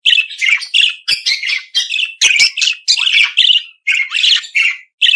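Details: Lively budgerigar warble of fast chirps and scratchy, slurred notes in nearly unbroken sequence.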